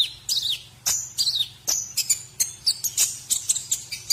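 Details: White-rumped shama training song for teaching other birds: varied high whistles, some sweeping down, with sharp clicks and a run of rapid chirps toward the end.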